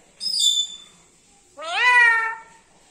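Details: Pet black-capped lory talking: a brief high, thin whistle, then a longer nasal rising-and-falling cry much like a cat's meow.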